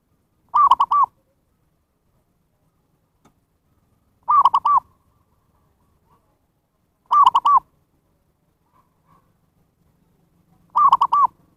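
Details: Zebra dove lure recording for calling wild birds: brief rattling coo phrases of about three notes each, repeated four times roughly every three seconds against a quiet background.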